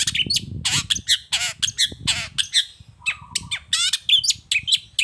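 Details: Harsh long-tailed shrike song used as a lure for other shrikes: loud scratchy squawking bursts and quick chips, one short low whistle, with low rumbling noise beneath.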